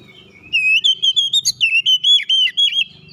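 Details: Oriental magpie-robin in tight rolling ngeroll rapat song: a quick run of about a dozen clear, high whistled notes, each slightly bent, packed closely together, with a faint low hum underneath.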